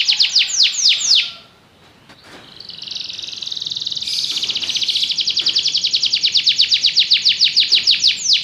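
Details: Belgian canary: a few loud descending sweeps, a short quiet gap, then a long rapid trill building in volume, ending in sweeping notes.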